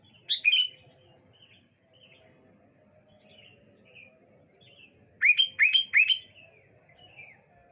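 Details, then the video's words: Sooty-headed bulbuls answering each other on a bright morning: one quick bubbly whistled phrase, a pause filled with faint distant chirps, then a louder run of four rapid descending-then-rising notes. "Suara Burung Kutilang Saut Sautan"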